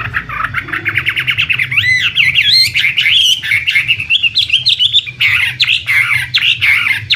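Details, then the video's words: Chinese hwamei singing a varied medley: rapid trills, two loud looping upslurred whistles, then fast warbled and chattering phrases; steady low background hum throughout. "Suara Burung Wambi (Chinese Hwamei)"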